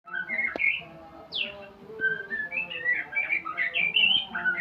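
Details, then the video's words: White-rumped shama learning sounds during a mastering session: varied whistled phrases, some rising and some sharply falling, delivered in quick bursts over a steady low humming drone. "Murai pastol belajar Bunyi"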